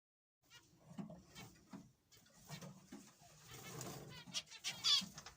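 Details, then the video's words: Young zebra finches being fed chatter with overlapping nasal, buzzy beeps and short toy-trumpet notes, several birds calling at once in quick irregular bursts. "Zebra finches"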